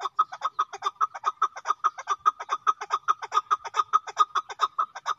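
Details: Chukar partridge (chakor) calling: a steady, rhythmic series of short, low clucking notes, about two to three each second, evenly spaced and unchanging in pitch throughout, with a quiet background.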